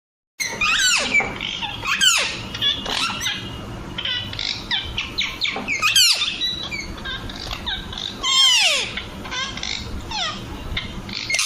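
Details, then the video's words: Young Alexandrine parakeets keep up a shrill, squeaky chatter, with loud swooping squawks that rise and fall about every two seconds over a steady background hiss. "Alexander baby parrot sound"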